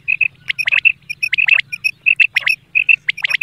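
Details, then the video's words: Single male quail calling, a morning-and-night call used for quail hunting: clipped whistled notes repeated in quick pairs and triplets, mixed with sharp downward-sweeping squawky notes, over a steady low hum. "Batair ki awaz batair hunting Batair ki night awaz"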